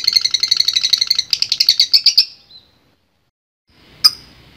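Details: Lovebird giving a long ngekek song used for training: a rapid, harsh chattering run of high notes lasting over two seconds and fading out, then silence and two sharp clicks.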